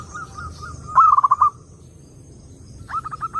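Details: Zebra dove song, clear recording played to lure other doves: a soft coo, then a loud stuttered phrase of about six quick rolling notes, followed by a quieter string of short repeated coos near the end.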